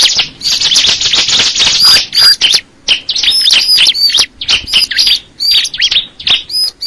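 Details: High bar-winged prinia song opening with a dense buzzy trill, then breaking into quick chirps and bright whistled notes separated by short pauses.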